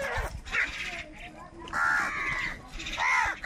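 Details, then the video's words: A rainy morning feeding scuffle between crows and wild birds: drawn-out, grating caws alternate with shorter harsh notes, loud and irregular, over a low rumbling background. "Crow Fight with Wild Birds for Food in a Rainy Morning | কাকের ডাক Crow Sound Loudly"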